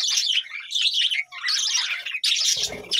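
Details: A continuous, busy warble of high, buzzy budgerigar chirps from a village farm colony, ending with a short low thud.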